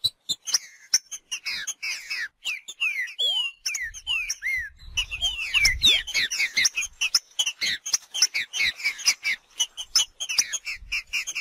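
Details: Green-winged saltator singing in the wild, a busy run of downslurred whistled notes, with sharp clicks and other high chirps around the song.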